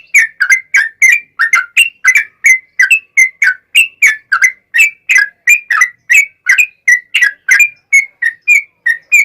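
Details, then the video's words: Long rolling song of a yellow-vented bulbul, used to draw other bulbuls into replying: a fast, unbroken series of short liquid whistled chirps, roughly three per second, alternating slightly higher and lower notes. "SUARA trucukan gacor ROPEL PANJANG pancingan trucukan agar bunyi"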